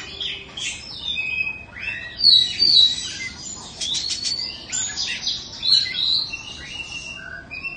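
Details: Caged Oriental magpie-robin, Indonesian type and two seasons old, pours out a lively medley of whistled slurs, quick chirps and a brief rattling burst, several notes each second.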